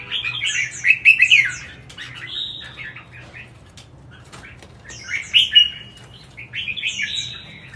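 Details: Red-whiskered bulbul in competition song (hót đấu): three separate bursts of quick warbling, whistled notes with sharp high chips, spaced by quieter gaps of a second or two.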